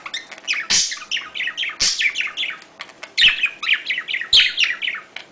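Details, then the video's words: Budgerigars' mating call during courtship: a fast, rambling warble of high chirps and squeaky notes, broken about once a second by sharp, loud clicks. "sonido de llamada de apareamiento / Cortejo de periquitos Australianos | Parakeetsmating call sounds"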